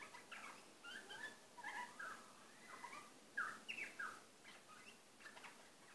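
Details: Male butcherbird quietly singing to himself, giving scattered short whistled and chirped notes that rise and fall in pitch, with a brighter cluster of notes around the middle, over faint background hiss.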